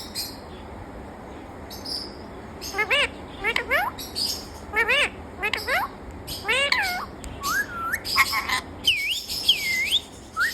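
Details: A talking parrot starts after a quiet opening, then gives a series of rising, voice-like harmonic calls, followed by smooth whistled loops and arcs toward the end.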